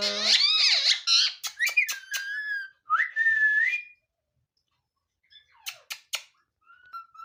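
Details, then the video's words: Pet parrot, a talking mithu kept indoors, giving a quick jumble of whistled and squeaky notes, sweeping and wavering, then a level whistle, a pause, and a few sharp clicks with a short final whistle. "parrot creeping sound | nice mithu talking"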